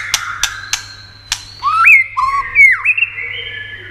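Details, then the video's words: White-rumped shama producing 'tạch' clicks before singing, meant to excite other shamas: four sharp clicks, then loud clear whistles that sweep upward and dip, ending on a long steady high note. "Âm Kích Thích Cực Nhạy.chòe lửa đập tạch kích bổi cực sung.kích chòe lửa yếu lửa.chòe lửa tạch đập"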